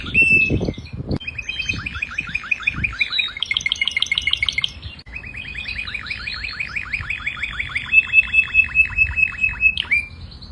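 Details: Singing canary. A few low thumps come first, then long rolling trills of quick swooping notes. Buzzy, chattering passages and a steady high whistle follow, and the song closes on an abrupt upward note.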